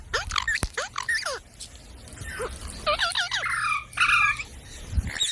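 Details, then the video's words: Parrot calling with a run of harmonic, swooping whistled notes, some sliding down and others rising, followed by a burst of wavering chattering calls near the end, over faint low background hum. "Parrot Sound Videos | Parrot Sounds | Parrot Video | Talking Videos Compilation"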